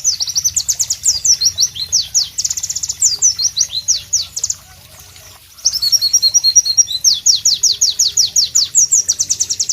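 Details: White-eye, known as pleci, singing in a tropical setting: long series of piercing high downward-slurred notes delivered rapidly. After a brief pause comes a chattering trill, then more sharp notes, over a constant low rumble.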